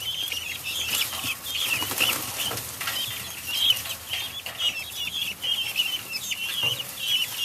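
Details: Helmeted guinea fowl in their coop, set off as bedding chips are stirred: dense overlapping harsh, high chattering calls from several birds, with frequent wing flapping and scuffling throughout.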